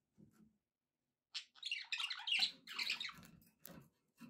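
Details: Pet budgies in a happy mood: a soft low murmur, a second of quiet, then bursts of loud, raspy chirping and warbled chatter with a low rumble beneath, fading and returning in short spurts.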